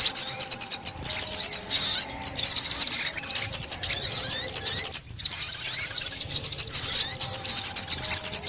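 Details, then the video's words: High, busy twittering song of a sunbird, recorded in Vietnam in 2021 for trapping; nearly continuous rapid chips and trills with one clear break near five seconds. "Tiếng Chim Ốc Mít , Bẫy Chim Ốc Mít 2021"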